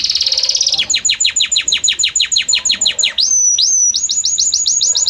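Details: Belgian canary song, harmonious and varied: a short high rolling trill, then a run of about twenty quick descending whistled sweeps, a clear upward slide, and fast repeated high chips.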